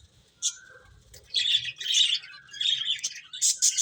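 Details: Playing finches, with a sharp isolated chirp, then clustered high twittering notes and a few thin squeaky calls near the end, over a quiet background.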